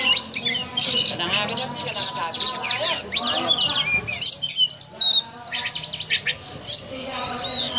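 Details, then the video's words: Oriental magpie-robin (kacer) singing in the ngobra style, likened to a cobra: dense bursts of high, sharp whistles and rasping squawks that sweep up and down, with short pauses and faint low murmuring behind. "Kacer Ngobra Seperti Ular"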